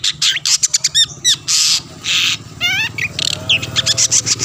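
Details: Long-tailed shrike singing to stir rival shrikes: harsh rasping bursts interleaved with fast trilled warbles, quavering whistled phrases and short chattering notes.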